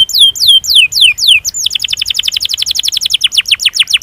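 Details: Training song of a canary used to spur reluctant singers and call out a rival. Five clear downward-swooping whistles open the phrase, followed by a long fast roll of evenly repeated buzzy notes lasting over two seconds.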